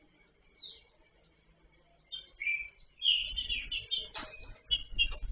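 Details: Free female green-winged saltator soliciting mating: a downslurred high whistle, then after a pause short slurred whistled notes growing busier, with a burst of rapid chirps and low rumbling handling noise toward the end.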